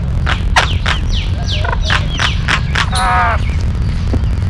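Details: Kariyila Pakshi, the yellow-billed babbler, calling in a rapid series of rasping, downward-sliding notes, then one longer nasal squawk, against steady low background noise.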